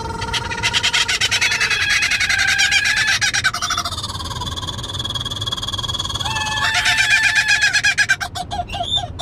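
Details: A captive kookaburra, travelling in a vehicle to a bird show, gives loud rollicking laughter of rapid ha-ha notes rising into shrieks, set off by another bird mimicking it, with other birds' shrill calls joining in and car noise.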